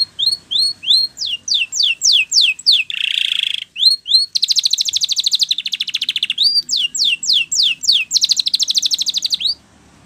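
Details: Training song of a Spanish Timbrado canary: series of sharp downward-sweeping whistles, a brief harsh burst, then long rapid metallic rattling trills alternating with more falling whistles, ending abruptly.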